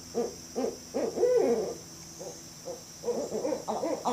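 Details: Barred owl calls: a few spaced hoots rise into a longer, quavering, drawn-out hoot. A pause follows, then a rapid, uneven run of shorter hoots that grows louder toward the end.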